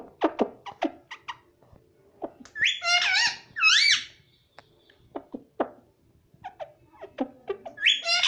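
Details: Rose-ringed parakeet kept as a pet, a baby said to say mummy: quick clicking chatter, two loud arched screechy phrases, scattered short notes, then a final rising squawk.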